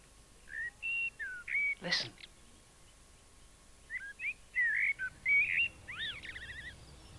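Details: A blackbird starts singing in spring after winter, in a garden with a bird table: mellow, fluted whistled phrases about half a second each, ending in squeaky twittering flourishes, with one sharp click near the start.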